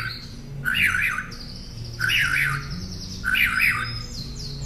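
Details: Northern mockingbird singing, recorded as a tutor for caged songbirds: three similar warbled, chattering phrases about a second apart over a thin steady high whine.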